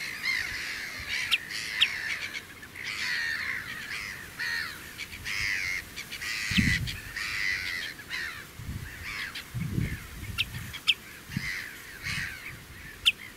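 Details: Common redshank at the Oesterdam, Tholen, Netherlands, perched on a post near a car, giving loud, harsh alarm calls in quick bursts while defending its two chicks, over low rumbling thumps like wind or handling noise.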